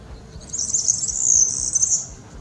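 A European serin sings a very high, rapid, glassy jingle of tinkling notes, a continuous buzzy rattle lasting about a second and a half.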